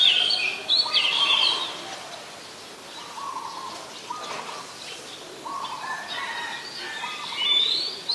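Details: Oriental magpie-robin, a very common resident, singing in Ubon Ratchathani, Thailand, 14 October 2021, Nikon P1000 recording: a loud burst of varied whistled notes opens, then quieter lower warbled phrases, with whistles returning near the end.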